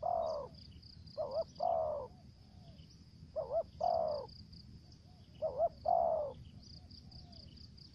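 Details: Decoy spotted dove calling in the thổ dế, kèm dập and mai rừng styles. Three phrases of a quick double coo followed by a longer falling coo, about every two seconds, with a constant shrill cricket-like drone behind.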